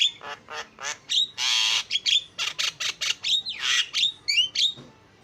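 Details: Starling lure song meant to draw other starlings into song, with loud harsh rattling squawks alternating with short whistled upslurs and scratchy chatter at a quick, uneven pace.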